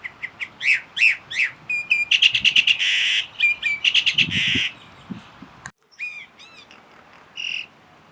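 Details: A single wild Common Myna in Kuah, Langkawi, mimicking the calls of at least four other species: rapid trilled chirps, sharp whistled notes, harsh buzzy bursts and rising whistles, delivered in quick varied phrases with short pauses between them.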